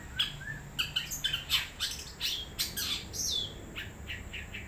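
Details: Song of a wild long-tailed shrike: rapid, irregular harsh squawks and rasping bursts, roughly three per second, mixed with brief slurred whistles, one sliding downward near the end, over a constant background hiss.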